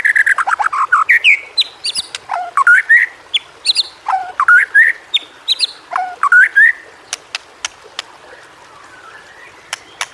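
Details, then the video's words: White-rumped shama song meant to coax silent shamas into singing: rising whistled phrases and sharp chips in quick runs for seven seconds, then sparse clicks. "masteran burung murai. mewah awas! kesurupan"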